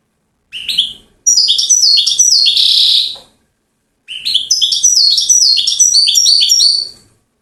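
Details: Champion European goldfinch from Settat, Morocco: two long phrases of rapid descending chirps and a buzzy wheeze, sharp and bell-like, separated by a one-second gap in a quiet room.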